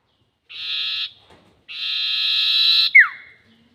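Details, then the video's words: Trapping lure of a sirtu bird in the 'nyiul panjang' long style: a half-second buzzy rasp, a pause, then a longer, swelling buzzy note that ends in a sharp downward-sliding whistle. "SIRTU NYIUL PANJANG ..... ‼️ Cocok Untuk Pikat || Suara Pancingan Sirtu"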